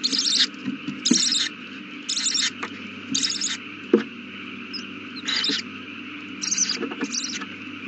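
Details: Owl at the nest on the evening a chick hatched, 18 April 2019 at 8:32 pm. Rasping hisses repeat roughly once a second in uneven bursts, mixed with a few soft knocks over a steady hum.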